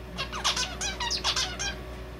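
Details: Zebra finch, a male whose song has picked up red avadavat calls, giving a lively string of piping 'piyo' notes, nasal and ringing, with several quick downward slides, repeated about six times a second.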